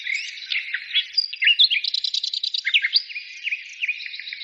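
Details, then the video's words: A short burst of birdsong: varied slurred whistles and chirps, a rapid stuttering trill in the middle, then several upward-flicking notes over a soft twittering background. "birds singing"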